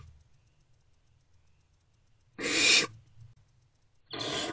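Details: Barn owl chicks in nest box C at night, 1:28–3:20 am, 3/2/24, snuggling. After quiet, two harsh, breathy hisses sound about one and a half seconds apart, the second slightly softer, over a faint low hum.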